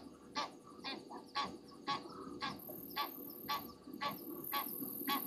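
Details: At night on a South African game reserve waterhole, 22:41 on 27 January 2023, disturbed Egyptian geese give about ten regular, harsh honks, evenly spaced near two per second, with a thin high insect hiss and low hum behind.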